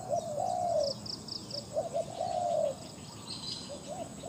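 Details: Spotted dove, a captive decoy for attracting wild doves, delivering loud mellow coos: a clipped opening note, a long wavering phrase, then further short and drawn coos, with high staccato chirps from another bird.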